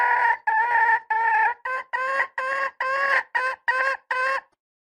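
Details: Red junglefowl hen calling: a run of about ten clipped, nasal, harmonic-rich notes, each roughly a third of a second, given in quick succession with short gaps, then stopping; no other sounds.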